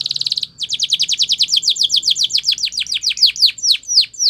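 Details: Canary, Belgian, in a training song: a short rattling trill opens into a long series of steeply falling whistled notes repeated about four to five per second, slowing slightly toward the end.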